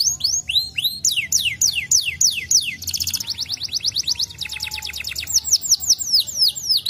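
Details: A canary answering a lure sings fast, high tours: repeated down-slurred whistles, a rapid rolling trill, then buzzy and bright sweeping phrases, several notes each second.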